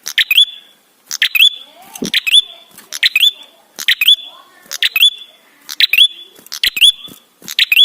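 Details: Ashy tailorbird singing persistently, a recording used as a lure to prompt other birds to sing quickly: a sharp clicking burst and then a clear, high whistled note with an upward hook, repeated about once a second, with a brief low sweep midway.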